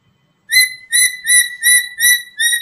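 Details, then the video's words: Black-capped lory, a lure bird for attracting other lories, giving six clear, ringing whistled notes in a quick, steady series after a brief silence. "Pancingan Burung Nuri kepala Hitam"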